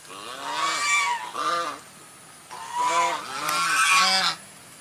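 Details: White swan uttering four loud, nasal honks in two pairs, each slightly rising then falling, with a short gap between the pairs.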